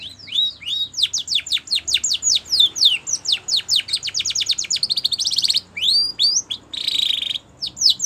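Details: Spanish Timbrado canary song for training canaries: rapid series of steep descending whistled sweeps, then a dense buzzy trill and more falling notes, bright and high-pitched throughout.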